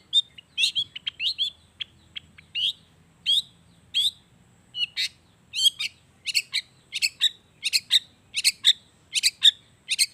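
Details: Lively Long-tailed shrike song with natural mimicry, aimed at making reluctant shrikes sing: scratchy, squeaky notes that build into a steady series of sharp, high chirps about twice a second.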